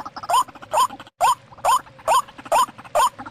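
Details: Lure recording of a white-breasted waterhen for trapping wild birds: loud nasal upslurred notes repeated about twice a second, with a brief abrupt gap midway.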